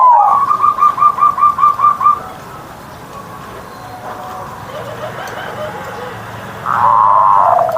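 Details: Zebra dove kept as a hobby bird, morning singing. A quick string of about nine evenly spaced coos opens, then a faint murmur follows, and a loud steady coo ends with a low hum behind it.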